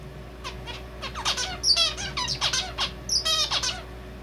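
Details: Male zebra finch with its own song borrowing red avadavat calls: quick series of nasal buzzy notes mixed with thin high peeps and a rattling trill, roughly a dozen elements in four seconds, low background hum.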